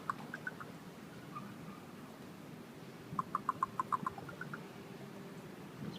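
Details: Two ravens calling to each other from up in a tree: a series of short, hollow, knocking or clicking notes at mid pitch, several in quick bursts with pauses between, over a quiet outdoor background.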